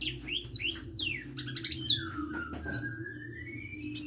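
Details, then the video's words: High, thin sunbird song, sung vigorously (gacor): downward-sliding whistles, faint chattering notes, then a long bright whistled run; steady low hum in the background. "KICAU BURUNG KOLIBRI GACOR"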